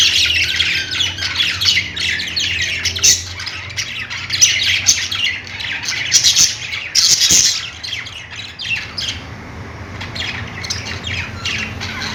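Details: Busy chirping of budgies: rapid, irregular high twittering and squawks in long dense runs, thinning and growing softer toward the end, with a low hum underneath.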